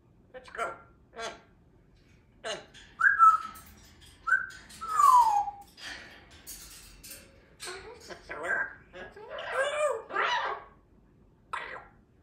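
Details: Young African grey parrot working on its pronunciations one afternoon, mixing clear whistled slides with short speech-like bursts and pauses, while a Yellow-naped Amazon chatters in the background indoors.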